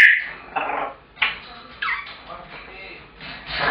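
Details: Pet African grey parrot shouting at home when its owner returns from work, keeping it up until fed; a series of short, harsh, harmonic squawks and nasal cries rising and falling, separated by brief pauses, in a quiet room.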